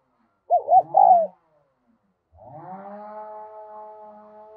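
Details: Spotted dove used as a decoy, with a Đồng Son style voice, calling to draw in wild doves. A quick burst of three coos is followed by a long, steady, humming harmonic tone in the background.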